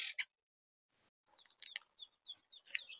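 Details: Monk (Quaker) parakeets in Tampa Bay, Florida give harsh, scratchy squawks mixed with shorter, higher chirps in quick irregular bursts, like flock chatter.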